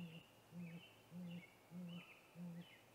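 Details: At a snag tree nest on an April evening in 2019, a male great grey owl gives low, soft hoots at a steady pace, roughly five in three seconds, ahead of a nest visit; distant songbirds whistle above.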